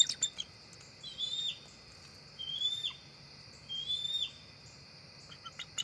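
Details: Wild bald eagles, two adults, a female and a young adult male, flying up to their nest tree just before dark on 4 October 2023: three thin, high whistled calls about 1.3 seconds apart, each ending in a brief chattering trill.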